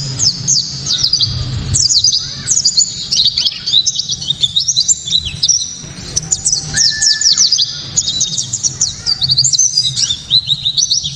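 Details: Loud, piercing white-eye song in the 'tembakan' style, meant to stir rival white-eyes into singing: a long, nearly continuous stream of very high, tumbling chirps and quick slurred notes, with a brief lower whistle midway.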